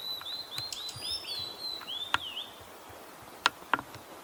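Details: Wild male Blue-and-white flycatcher in Kita-Harima, Hyogo, Japan, reacting to a nearby female's call: a run of sweet whistled notes that glide up and down, followed by sharp clicks and knocks in a quiet countryside setting.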